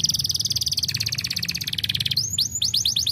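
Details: Canary song: a fast, buzzy, rattling trill that drops in pitch partway through, then a quick series of falling whistled slurs.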